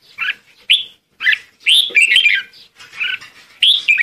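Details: Red-whiskered bulbul calling to gather the flock, a series of lively whistled and chattering notes rising and falling, close and loud.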